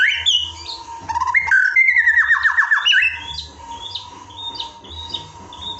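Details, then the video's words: Varied song of a white-rumped shama, recorded to train other birds in the evening. Bright whistles and a quick stutter open into rapid down-slurred notes, then softer scattered chirps, with a steady mid-pitched tone and low hum throughout. "Ajakan Masteran Murai Batu untuk Mengoptimalkan Suara saat Sore Hari"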